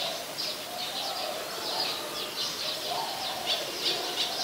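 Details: Olive-backed sunbird at a home on 23 March 2021, about 5:29 PM: bright, high chipping notes in short bursts throughout, with a soft low cooing tone in the background.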